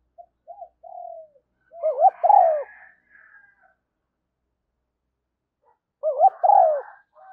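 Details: Spotted dove decoy call for luring wild doves, described as a female dove lure; short low coos, then two louder phrases of rising and falling hooting notes roughly four seconds apart, with faint buzzy background notes.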